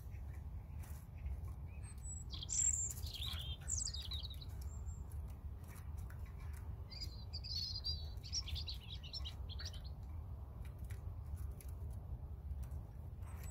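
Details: High, thin warbling phrases of a European robin, two scattered bursts of sliding and twittering notes with long gaps between, faint against a low background drone.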